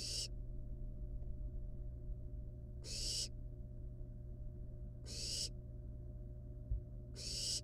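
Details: Wild barn owl nestlings at the nest with a live rat brought as prey; harsh broadband hissing screeches, about four in the clip, spaced two to three seconds apart over a steady low hum.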